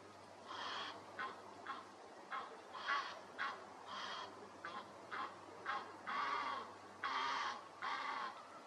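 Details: Egyptian goose calling with a series of harsh, honking notes, about a dozen short and longer bursts spaced irregularly over eight seconds, with steady background hiss.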